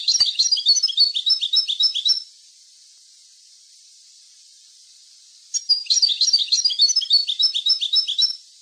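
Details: European goldfinch maknin-style song, played for tutoring young goldfinches: two bursts of rapid, high twittering notes, each about two seconds long, separated by a quiet pause of roughly three seconds, with faint hiss between.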